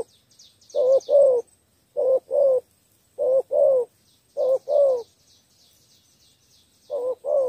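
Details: Spotted dove giving a three-note thổ coo, a lure for wild doves. Low husky paired coos repeat about once a second, then a pause of about two seconds. Faint high chirps from other small birds are heard behind.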